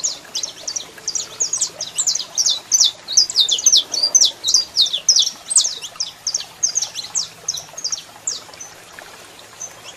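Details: A singing male saffron finch with a female calling nearby: ten seconds of energetic, crowded high chirps and sharp downslurs, loud and continuous, fading slightly near the end.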